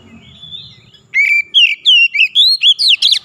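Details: Song of an Oriental magpie-robin (kacer) in gacor style, for rousing a silent bird: a faint thin whistle, then a fast sequence of loud rising and falling whistled notes, roughly four per second.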